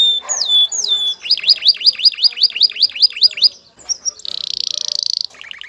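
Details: Male canary in courtship excitement singing to a female; whistled upslurs, then a regular series of looping swooping notes, a brief pause, and a fast buzzy high trill followed by lower pulses.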